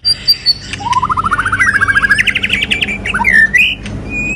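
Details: Moulting white-rumped shama sings a 'kéo thuốc lào' phrase: a rapid, even trill of pulses rising gradually for about three seconds, ending in a few whistled slurs.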